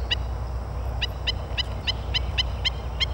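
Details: Four Killdeer (Charadrius vociferus) chicks at Wildwood give short, high peeping notes, about eight in a quick run of three to four per second, over a steady low rumble.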